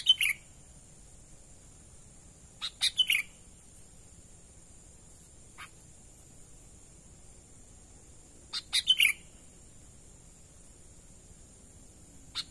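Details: Sooty-headed bulbul natural lure call given as spaced bursts of three or four sharp, downward-slurred chirps, repeated every five to six seconds in quiet surroundings with a few faint single chips between.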